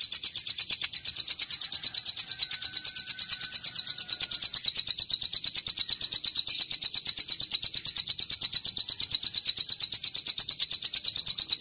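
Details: Long bar-winged prinia training master with extended cililin phrases: a continuous, metronome-like run of high, clear chirps, about three per second, unbroken throughout.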